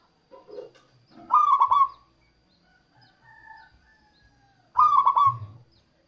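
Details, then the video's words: Zebra dove of a local type singing to lure wild doves: two stuttering cooing phrases about three seconds apart, with a faint low murmur before the first and a quieter drawn-out call between them. "suara perkutut lokal untuk pikat dan pancingan"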